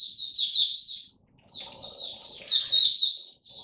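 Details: Caged Oriental white-eye in song display: high thin twittering phrases, two bursts of rapid warbled notes separated by a short pause.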